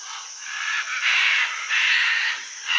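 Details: Scarlet, red-and-green and blue-and-yellow macaws gathered by the hundreds at a clay lick on the Rio Tambopata, Peru, with other parrots present: a dense, continuous harsh squawking chorus of many overlapping raucous calls, swelling and fading.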